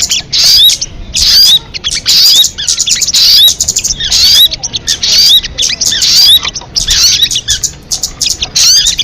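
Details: Crested jay voice: harsh, high chatter in clustered bursts with quick rising whistles, gaps of silence between groups.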